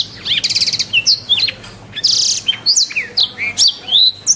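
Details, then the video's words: Canary singing a tutor song for training cage birds: two buzzy rolling trills alternate with bright swooping whistles and quick chips, delivered in continuous high-pitched phrases over a low background hum. "Masteran Terbaik Kenari"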